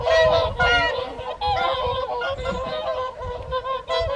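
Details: At the January 2023 evening feed on the Folly Pond, WWT Caerlaverock, whooper swans give loud, ringing honks in clustered bursts, separated by short gaps, over faint low background rumble.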